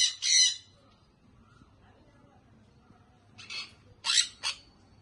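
A young sun conure gives harsh, raspy squawks in short bursts with quiet pauses between.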